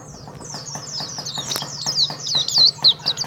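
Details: Champion white-eye from the contest circuit of Karawang, Indonesia, starting with soft rapid twitters, then building into loud, clear, high, swooping whistled notes, over faint ticking and a low hum.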